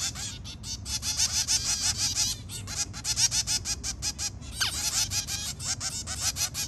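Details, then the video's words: Zebra finch family, two adults with three babies, in an early-morning chorus: dense, rapid, overlapping nasal beeping calls, loud and nearly continuous, with brief pauses. "Zebra finch family with three babies. Early morning call"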